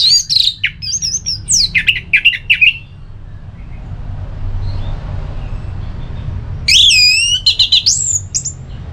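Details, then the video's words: Ngeplong song of an orange-headed thrush meant to trigger a sluggish bird to reply: wavering high whistles and quick chip series, a pause, then loud looping whistled phrases and more chips. "ANIS MERAH LOYO Bakal SONTAK NYAUT GACOR dan EMOSI dengar Kicauan Ngeplong ini"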